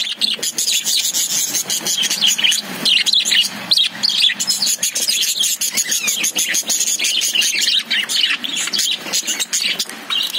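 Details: Lovebirds kept in a cage fill the air with a constant, crowded chatter of high, raspy chirps and squeaks, many birds calling together with no real break.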